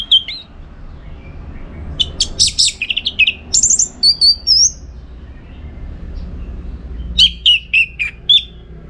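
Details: Orange-headed thrush song for training birds for contests, Singaraja, northern Bali: a long varied sequence of whistled, chattering and rising notes, a short pause, then more rapid whistles.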